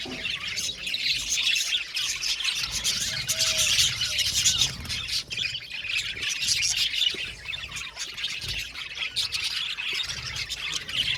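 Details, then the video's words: Many budgies squawk and chatter in an aviary colony: continuous scratchy high twittering, with occasional louder harsh squawks and a faint low hum. "Budgies parakeets chirping sound | Cute Budgies birds singing sound"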